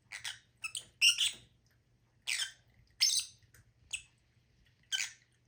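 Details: Shrill, scratchy lovebird squawks in irregular bursts, a few short chips and several louder rasping screeches, with quiet gaps between; faint low hum.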